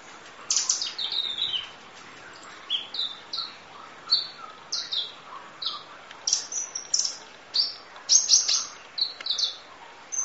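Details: Kolibri ninja sunbird song for training: high chirps and sharply falling whistled notes spaced a second or so apart, becoming denser and more twittering toward the end.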